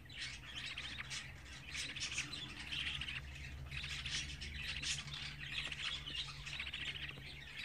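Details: Twenty-four-day-old budgerigar chicks keep up steady, harsh, squawky chirping. Bursts of rough calls come roughly once a second over a constant low hum.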